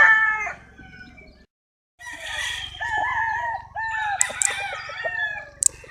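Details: Chickens with roosters crowing, overlapping harmonic crows in the middle and end of the recording, with clucking notes, a short silent gap and a low steady hum beneath.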